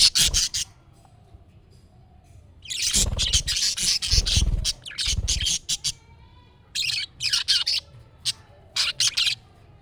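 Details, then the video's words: Budgerigar calls played so a pet budgie answers; loud scratchy chirps and squawks in rapid clusters, with low thumping noises between bursts. "MUHABBET KUŞU SESİ Kuşunuz Bu sese Karşılık Verecek Kuş Sesi"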